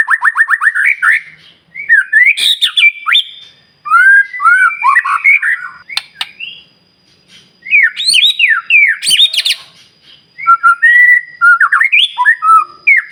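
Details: White-rumped shama in continuous varied song, played to provoke other shamas: repeated whistle runs, harsh chattering bursts and clear slurred notes separated by short pauses.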